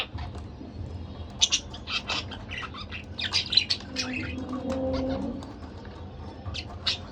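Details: A pair of pet budgerigars chattering: scattered short bright chirps and squawks, busiest in the middle, over a low background hum.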